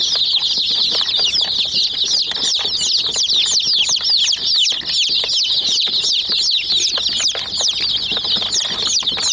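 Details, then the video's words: A crowd of chicks pecks at a miniature toy jeep while giving a steady torrent of thin, high chirps, about two or three peeps a second standing out, along with many tapping pecks. "Murgi Chicks Chirping Sounds"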